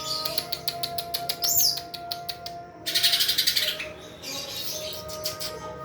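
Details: Greater green leafbird singing vigorously: quick repeated clicking notes, a high twisting whistle, then a dense, harsh, rapid trill that fades into softer chatter, with a constant background hum.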